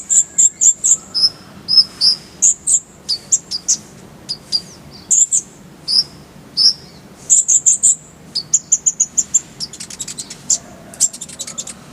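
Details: Konin (Brown-throated sunbird) tutor recording: lively, varied twittering of high clipped notes in quick succession, with alternating pitches, ending in a fast, dry, stuttered chatter.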